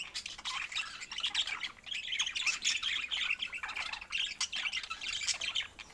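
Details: Several pet budgerigars chirping and squawking together, busy warbled chatter in rapid bursts with short pauses every second or so.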